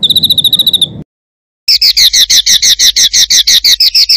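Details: Songbird master recording used to train contest birds, rough rolling material: a fast high chirping trill, a cut to silence, then loud rhythmic doubled chirps repeated about three times a second.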